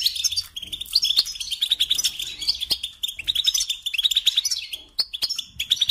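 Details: European goldfinch, a songbird kept for singing training, in a fast twittering song of rapid high chirps and short trills, with a few sharp clicks.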